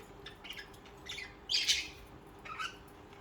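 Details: Pet budgerigars singing; scattered high chirps with one louder harsh squawk near the middle, over a low steady hum.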